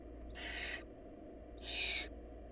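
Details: Food-short barn owl nestlings: two drawn-out hoarse hissing screeches a second apart, the second slightly louder, over a steady low drone.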